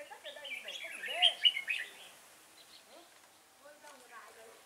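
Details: Red-whiskered bulbul at Chùa Hương, Vietnam, recorded while being trapped with a decoy bird on 5 March 2018. A busy, rich warbling phrase peaks in its first half, then lower swooping notes and quieter chatter follow.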